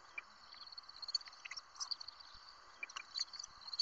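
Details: Five barn owl chicks in California give a steady, high, breathy hiss, broken by brief sharper clicks and squeaks.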